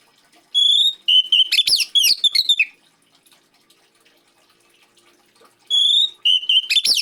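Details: Oriental magpie-robin song used to prompt other magpie-robins to sing, with gentle trickling water: loud whistled phrases, a clear steady note, then a rapid jumble of sweeping notes, the pattern repeated after a quiet gap.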